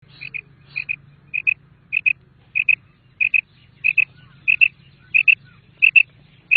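A female common quail repeats a soft, high double note about every half-second, with a low hum underneath.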